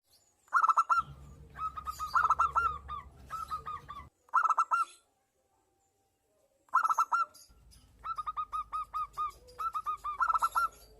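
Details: A zebra dove of local stock, in breeding condition, calls back and forth with a female. Bursts of rapid rolling coos come in several phrases separated by pauses, with a near-silent gap midway and a low steady hum beneath.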